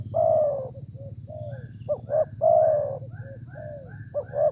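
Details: A wild Spotted Dove (tekukur) coos while being trapped with a decoy in the cold wet season, usually the area's top male: a long mellow coo and falling tail, then another full phrase with two short opening notes, over rumbling background.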